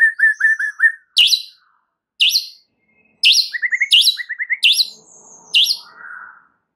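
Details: White-rumped shama lure song to provoke other birds: quick repeated whistles, then loud sharp high notes spaced about a second apart, interleaved with short rising trilled bursts.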